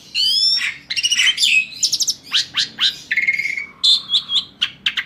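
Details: Asian pied starling singing to draw other birds into song: a buzzy opening, then sharp downward whistles, a steady held whistle and brief chattering notes, over a faint low hum.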